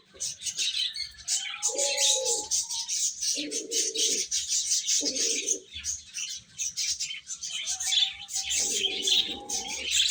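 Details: Young chicks chirping as they eat, a thick mass of high peeps throughout, with several lower rounded calls and short whistled tones rising in three separate spells.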